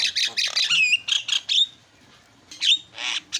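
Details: A Javan myna, used as a lure to prompt silent mynas to sing, sings a fast jumble of harsh, grating squawks and clear whistled notes, with a brief pause before more rasping phrases.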